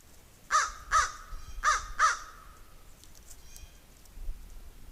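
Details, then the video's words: Crow calling during a squirrel's chase of a raven, four rasping caws grouped as two pairs within about two seconds, then only faint distant sounds. "Crow is making noise"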